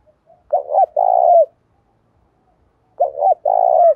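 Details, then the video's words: Spotted dove cooing in the đồng pha style to prompt wild-caught doves to fight: two identical phrases about 2.5 seconds apart, each a quick two-note stutter and a long rolling coo. "Chim cu gáy ĐỒNG PHA thúc đấu rút bổi"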